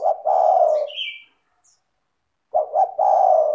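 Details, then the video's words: Spotted dove singing a melodious, clear lure song to trigger other doves: two phrases of stuttering double notes running into a long, soft, descending coo, with a brief high chirp from another bird after the first. "PANCINGAN suara tekukur gacor rapat merdu dan jernih"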